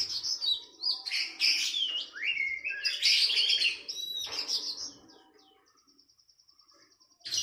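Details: Oriental magpie-robin training song for captive birds, with sooty-headed bulbul: five seconds of loud, busy whistled and buzzy phrasing, then soft rapid repeated ticks and a final high burst.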